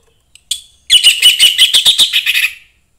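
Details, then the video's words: Young forest orange-headed thrush singing to stir other thrushes into song; a quick two-second run of sharp, high chirping notes, about a dozen repeated strokes with a steady whistled tone running through them. "suara anis merah MUDA HUTAN meningkatkan felling anis merah lain"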